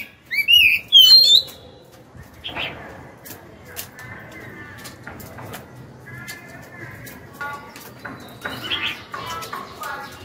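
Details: Wild-caught Oriental magpie-robin, caged for two years, singing when hung up: two loud, looping whistled phrases open, followed by quieter scattered chirps, faint harmonic notes and clicks in the background.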